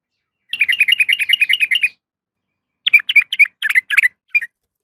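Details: Female sooty-headed bulbul calling a male: a fast chattering run of bright notes for about a second and a half, then a pause and several short bursts of sharp, warbling chirps.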